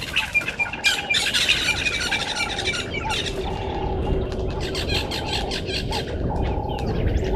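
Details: Red-billed buffalo weavers collecting nesting material at 05:30 on 11/08/2023 at a waterhole on Djuma Game Reserve, Sabi Sand, South Africa: harsh, squawky chattering in dense bursts over a steady lower repeating whistled note and low rumble.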